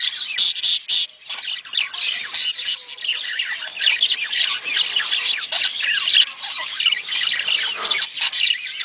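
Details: Budgerigar mating sounds meant to encourage a hen to lay quickly: continuous busy chatter of harsh squawks, clicks and bright chirps, rising and falling in loudness with only brief gaps.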